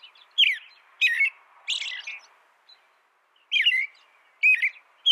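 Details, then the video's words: American robin carols in phrases of falling whistles with buzzy high edges, a longer silent gap midway, over a faint low hiss. "American Robin Bird Sound, Bird Song"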